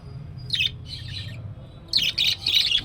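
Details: Budgerigar chick activity: bursts of high, scratchy chirps and chatter, a short pair near the start, then a run of rapid twittering notes after a pause, over a low room hum.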